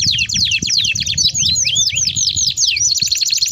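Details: Canary in full song, a long roll for luring and training young canaries: fast high trilled notes interrupted by swooping slurred whistles, then back to a rapid trill, light low noise behind.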